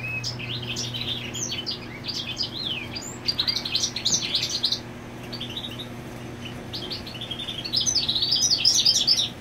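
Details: Territorial European goldfinch, female on the nest nearby; scattered high twittering notes and short trills, quieter in the middle, building to a dense chattering burst at the end, with a low background hum.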